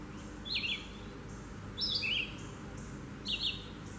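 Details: Red-eyed vireo (Vireo olivaceus) singing in trees: short, slurred, robin-like phrases of about half a second each, separated by pauses of over a second, over a steady low background hiss.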